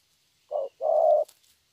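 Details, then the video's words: Single phrase from a young spotted dove in "thổ" style: a short low coo then a longer steady hollow note, followed by a faint rustle. "Thổ tốt tiếng.(chim tơ)"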